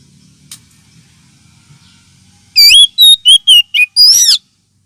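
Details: Oriental magpie-robin lure call, also used as therapy for magpie-robins lacking aggression: faint background hum at first, then a burst of six loud whistled notes, the last a longer, harsher rising-and-falling phrase.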